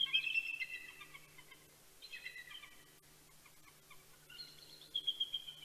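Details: Before sunrise at Big Bear, California, 26 October 2019, a bald eagle pair trades morning greetings: three bursts of shrill, rapid chattering chortles, each a quick run of piping notes sliding lower, with faint hum underneath.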